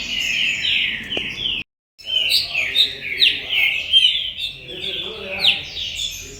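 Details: Green-winged saltator at a commercial breeding farm, a galador singer, pours out clear, ringing downslurred whistles in quick succession, broken by a brief silent gap early on.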